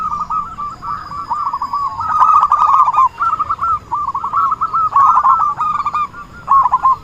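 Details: Lure-call recording of an actively singing zebra dove: repeated phrases of rapid, stuttering coo notes at a constant mid pitch, separated by brief pauses, with scattered clicks and a faint steady tone.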